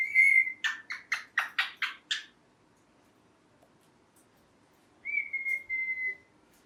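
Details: Pet green parrot, a ringneck: a short whistle leads into a quick series of about seven loud chirps, then silence, then a flat sustained whistle that fades away.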